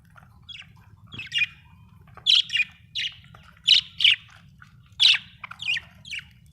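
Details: Australian budgie chirping in a lively series of harsh, squawky chirps, several close together, with faint chatter between them over a low background hum.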